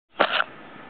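A brown shrike gives one short, harsh, grating note lasting about a quarter second, followed by quiet background hiss.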